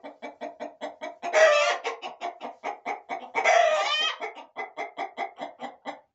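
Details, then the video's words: In a corral, hens and roosters keep up a continuous fast series of clucks, about three per second, broken by two loud drawn-out raspy squawks. "Gallos y Gallinas"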